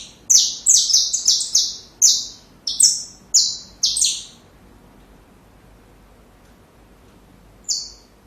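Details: Saffron finch song for tutoring young birds: a rapid burst of about ten harsh, buzzy, downslurred high notes over four seconds, a silent stretch, then one last isolated note.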